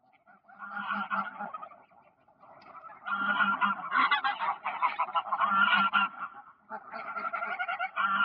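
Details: Honking greylag geese on park ponds in Poland, early October 2024: a dense chorus of nasal, rapidly repeated honks from many birds, building after a brief lull and staying loud to the end.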